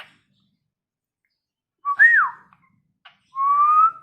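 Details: Talking, tame Asian pied starling whistling indoors: a short rising-then-falling clear whistle, a pause, then a long, slightly rising steady whistle.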